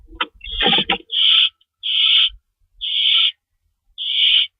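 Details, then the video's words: Owl after chasing an unidentified owl, screeching from a lookout late at night on March 24, 2012; a burst of rustling and thumps opens, then four drawn-out, hoarse screeches about a second apart. "Mystery Owl Chase With Sound Effects"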